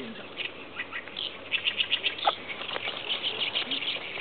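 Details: Oriental reed warbler singing in chorus with other birds: harsh, buzzy chattering bursts repeated in quick succession, overlapping with other birdsong and a faint low hum.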